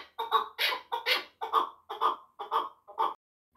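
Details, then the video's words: Chukar partridge giving a short series of about eight harsh, rhythmic clucking notes, each a rough burst, spaced roughly every half second in a quiet setting. "Кабки Сурак"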